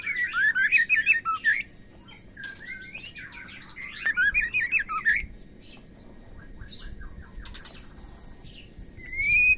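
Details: Calls of a female white-rumped shama, used to stimulate males into singing: repeated bursts of fast, tumbling whistled and chattering notes, separated by quieter pauses with faint chirps, ending on a rising whistle.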